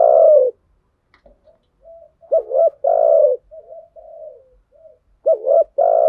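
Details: Spotted doves, cock and hen, cooing as a lure to stimulate decoy birds in thúc gù and gáy gọi styles; long hoarse coos and bouncy paired notes, broken by a pause and soft wavering low murmurs.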